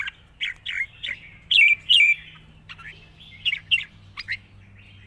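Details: Wild-style, long-phrased song of a Red-whiskered bulbul, lightly sung: evenly spaced rich whistled notes, some loud and slurred, continuing steadily with shorter notes toward the end.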